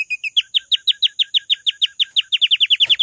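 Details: Canary repeating clear, falling whistle notes about six per second, steady and evenly spaced, quickening near the end; a short knock is heard at the close.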